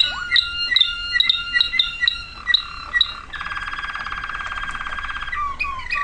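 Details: Song of a waterslager canary, 2009: evenly spaced bell-like chirps over a held whistle, then a dense buzzing roll and short rising whistled slurs.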